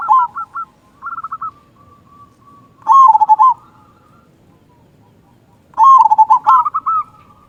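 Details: Zebra dove, local Indonesian bird with a big 'kung' voice, used to rouse other doves to sing: clusters of rapid, bubbling coos and two loud, rolling, stuttered phrases about three seconds apart, separated by quiet gaps.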